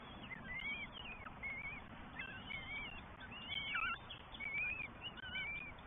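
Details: Three Northern goshawk nestlings in the New Forest on 20 May 2023 beg while parents feed them in turn; a busy run of high, wavering whistled squeals, overlapping and about one per second, with one sharply dipping note, over faint low hum.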